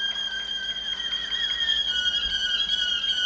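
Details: Waterslager Malinois canary from Veliko Gradiste, Serbia, holding a long, steady, flute-like whistled tone with slight wavering throughout.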